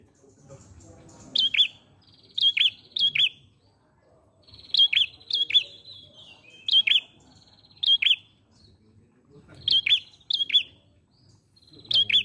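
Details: Ashy prinia singing, used as a lure recording: sharp, high chirped notes in quick clusters of two or three, repeated about every second with short pauses, over a quiet background.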